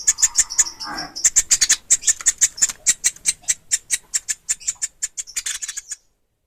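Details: Woodpecker chick (pelatuk ulam) makes repeated high, thin squeaks at a steady quick pace, with a brief lower rustle early on. The calls fade and stop shortly before the end.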